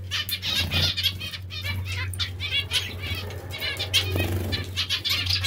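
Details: Pet zebra finches or Bengalese finches enjoying bath time. Repeated buzzy, harmonic chirps from several birds overlap steadily beside fluttering splashes and an electrical hum.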